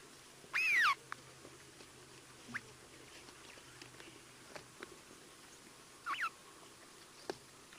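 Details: At a waterhole on 16 August 2023, a Cape starling, possibly a Cape glossy starling, gives an unusual, loud, looping falling whistle, then a short slurred whistle six seconds later, with faint clicks and chips in a quiet background.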